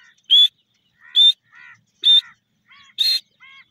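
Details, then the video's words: Grey francolin calling in the crossing season: loud, high, ringing notes repeated roughly once a second, with softer, lower, nasal notes between them. "grey francolin voice,lovely teeter awaz,teeter crossing season"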